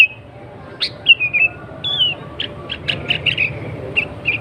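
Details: Sooty-headed bulbul in lively song, used to provoke rival bulbuls into answering: drawn-out slurred whistles followed by a string of short chirps at a brisk, uneven pace, over a faint hum.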